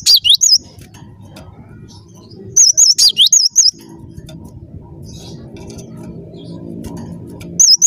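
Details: Cinereous tit singing energetically: a short burst of wavy, looping high notes, a longer run of about five near the three-second mark, then a fresh phrase starting at the end, over a low background rumble.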